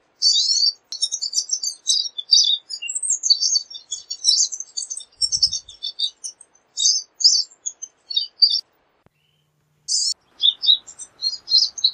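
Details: Pine siskin pouring out an extended, busy warble of high chirps and squeaky twitters in uneven phrases, with a brief pause before resuming.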